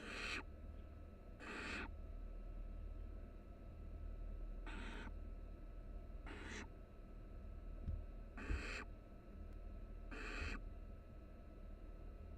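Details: Huddled in a University of Florida nest box, three barn owl chicks give six loud, noisy hissing bursts at uneven intervals, with faint knocks and a steady low hum underneath.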